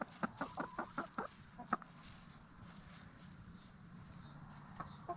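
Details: Hens of Black Star and Bielefelder breeds settling for the night in a movable chicken tractor; a quick run of about seven sharp clucks opens the clip, then fades into soft murmuring and low hum.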